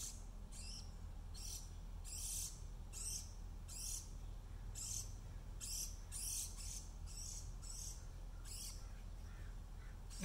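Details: A juvenile Brown-headed Cowbird, raised by an Oregon Dark-eyed Junco that it treats as its parent, begs for food with harsh, hissy, high calls about once a second over a steady low rumble, on 3 August 2019, despite food all around.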